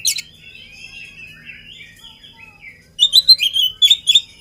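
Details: Energetic oriental magpie-robin singing before being fed: soft, drawn-out descending whistles, then a burst of loud, sharp, rapid chirps and whistled notes.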